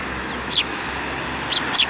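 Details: Sparrows, one with a yellow beak, recorded on 29 January 2018; three short, bright chirps, two close together near the end, over a steady low hum of traffic.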